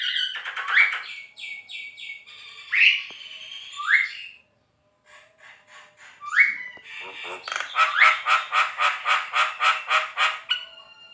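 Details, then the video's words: Javan myna giving a varied contest-style song: rattling chatter, several upslurred whistles, then a rapid, regular series of loud, harsh rasping notes at the end. "JALAK KEBO GACOR"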